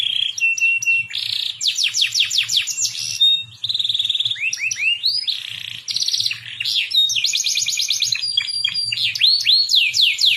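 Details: Songbirds in a training song mix of cucak jenggot, cililin and canary: varied bright phrases alternating rapid whistled sweeps, steady high notes and buzzy trills, switching pattern every second or two, with a faint low hum beneath.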